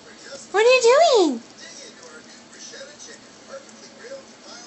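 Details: A 5-month-old pet cape parrot asking "what are you doing?", a single warbled, rising-and-falling phrase lasting under a second, then quiet room noise with a person saying "hi" softly afterwards.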